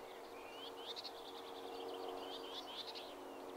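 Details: Common whitethroat singing near Blaby and Wigston, Leicester: a quick, scratchy warble of short chattering notes and brief rising slurs, delivered as one hurried phrase over a steady low hum.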